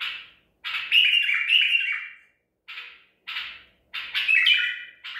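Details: White-eared bulbul, Baghdadi tor type, captured at Medical City, singing on 14 April 2021. Long bubbling, downward-sliding phrases alternate with short single notes, spaced by gaps of under a second.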